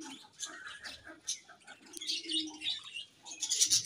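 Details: Pairing budgerigars produce quick high chirps and warbling chatter, rising into denser scratchy bursts toward the end, with soft low rustling underneath.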